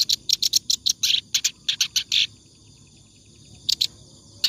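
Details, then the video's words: Clamorous reed warbler, singing in ngacor style for tutoring other birds, gives a rapid burst of rough chattering notes that stops abruptly, followed by quiet and two short notes at the end. "BURUNG KERAK BASI NGACOR COCOK BUAT MASTERAN"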